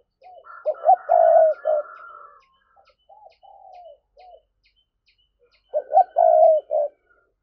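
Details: Spotted dove giving a driving 'thúc' coo, played as a lure to provoke wild doves: two short notes, a loud, long, low, wavering coo, then soft trailing notes. The phrase repeats after a pause, with a faint higher whistled tone in between.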